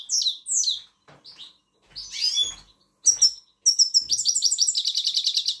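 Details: Song of a grey-crowned goldfinch meant to motivate young birds to sing: opens with scattered sharp, slurred high call notes and a buzzy phrase, then breaks into a sustained run of rapid, rhythmic tinkling twitters.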